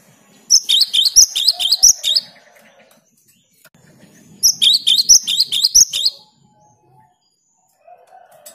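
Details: Vigorously singing cinereous tit, played to encourage quiet tits into song. Two bursts of quick, sharp, high-pitched repeated double notes, each about a second and a half long, with a few soft low sounds in between.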